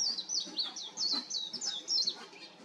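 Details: A warbling white-eye singing on an electric wire pours out a rapid, high, thin twitter of sweet slurred notes, each dipping downward, tumbling on without pause.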